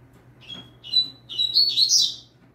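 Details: A novice double-collared seedeater sings firmly for song training, giving a brief high note, then a burst of quick, buzzy, high-pitched warbles that climb and tumble over about two seconds, with a faint constant low hum behind.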